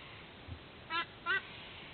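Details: White-bellied sea eagle at its nest in Sydney, Australia, at dawn, 06:04 on 13 October 2024, recorded by a nest camera; two short nasal honking notes a third of a second apart, over faint steady hiss.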